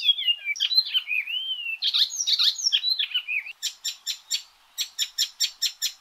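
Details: Loud Icterine warbler song: whistled slurs and scratchy, chattering phrases run together, then give way to a rapid, rhythmic series of sharp clicking notes.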